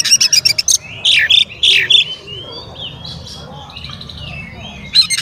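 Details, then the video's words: Oriental magpie-robin song used to rile other magpie-robins: a rapid rattling burst, then several loud, sweeping squawk-like whistles, quiet chirps from other birds, and another harsh burst at the end. "SUARA BURUNG KACER GACOR ngeplay santai MANGGIL kacer auto KONSLET buka ekor TERAPI KACER agar EMOSI"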